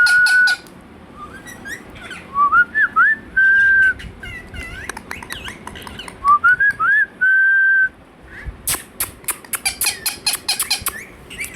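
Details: Indian ringneck parakeet, a pet, talking with "Hello" and "Mithu Mithu": repeated phrases of stepped rising tonal notes ending in flat held tones, then a long stretch of dense rapid clicking and tapping.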